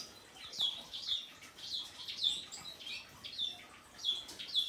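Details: A male painted bunting that has just finished its moult gives high, thin chirps with quick downward sweeps, about one a second, over faint background hiss.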